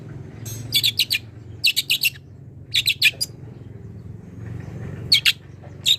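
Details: Long-tailed shrike, young and wild, calling a rival with clusters of three or four harsh rasping notes repeated roughly every second or two, separated by quiet gaps with faint low hum.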